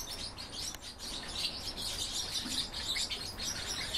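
Goldfinch × canary hybrid singing a fast, unbroken stream of high twitters and trills over a faint low hum.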